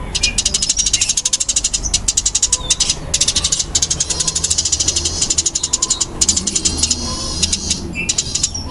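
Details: Long, dense stream of rapid high chirps from a fighting-type Eurasian tree sparrow (burung gereja tarung), loud and tightly packed with a few short breaks, plus some thin whistled notes mixed in.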